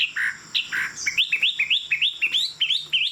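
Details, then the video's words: Chinese Hwamei, a tame bird with a fig-leaf tail, singing high on its perch: two low buzzy notes, then a fast series of rising whistled upslurs, each ending in a hooked note. "Họa mi thuần, Đuôi lá vả, Chim hót cao cầu"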